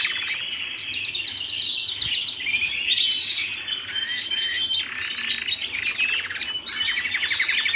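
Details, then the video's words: {'caption': 'Canary singing at home: a continuous, dense flow of high twittering phrases, rapid trills and short whistled notes, with some overlapping strands, with no pause across the whole stretch.'} "canary singing at home"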